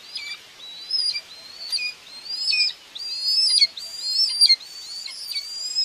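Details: Common buzzards at a nest in Tiszalök, Hungary, June 2, 2024, mother feeding two babies: thin, high, slightly rising whistled calls, one roughly every second, each sliding up then holding steady, with a faint hiss behind.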